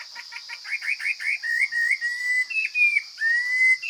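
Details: Forest Chinese hwamei singing strongly: a quick run of rising chirped notes speeds into a chain of clear whistled phrases that slide between higher and lower pitches. A steady high-pitched buzz runs beneath throughout.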